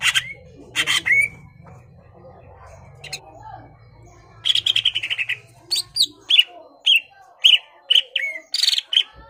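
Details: Greater green leafbird in full song, used to rouse a rival's aggression; bursts of harsh chirps, then a long gap, then a series of clear rising whistled notes spaced about half a second apart, with low background hum.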